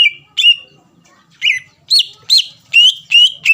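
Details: Greater green leafbird singing to stir a rival into song, a few loud looping whistles that rise then drop, spaced under half a second apart.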